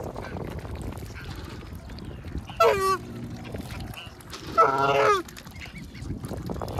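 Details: Goose guarding its young while being fed: two loud, harsh honks about two seconds apart over a steady low background rumble.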